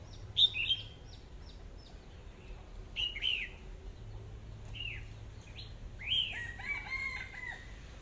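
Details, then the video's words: Whistled song of a red-whiskered bulbul: crisp descending and rising slurs grouped in short phrases, separated by brief pauses, with quieter ticking notes and light background hum. "tiếng hót chim chào mào"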